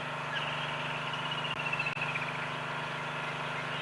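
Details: At sunrise on a hot 19 January 2022 on safari near drainage lines, several woodland kingfishers call in the dawn chorus. One gives a high, faint trill sliding slowly downward over about two seconds, over a steady low engine rumble.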